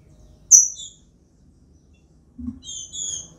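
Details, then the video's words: Captive female green-winged saltator in a flight cage, calling while soliciting mating: a sharp high chip at the start, then after a pause a quick pair of thin, high, slightly buzzy double notes, with faint low rustling beneath. "FÊMEA DE TRINCA PIANDO, MACHEANDO E PEDINDO GALA"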